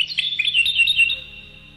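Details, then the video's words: European goldfinch singing a fast run of twittering, tinkling notes that fades after about a second, over a low steady hum. "Chant Chardonneret"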